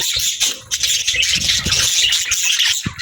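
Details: Budgie chatter, high twittering and squeaky warbles from several birds at once, over some low rustling and thumping noises.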